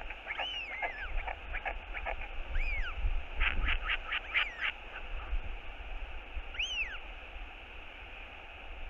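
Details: Royal albatross at a nest cam on 10 March 2022, as adult OGK returns: short arched calls that rise and fall, given in quick bursts with pauses, over a steady roar of wind.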